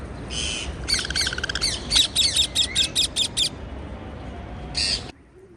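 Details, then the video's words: Chattering parakeets: a burst of harsh buzzy squawks runs into a rapid series of about ten short, clipped chirps, then a gap and one final rasping squawk before quiet. "Parkeet Birds Sound"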